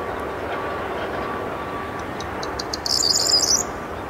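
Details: Wild corn bunting in song at 8 pm, 23 May 2022, Rheindürkheimer Spieß reserve by Worms, Germany: after a stretch of dull rumbling background, rapid dry ticks speed up into a brief, bright, rattling jangle near the end.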